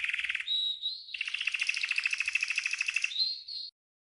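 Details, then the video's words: Green canary training song with a brief rapid trill, a clear whistled note, then a long even pulsing roll and a closing pair of pure whistles. "The Best GREEN CANARY 12h Training Song"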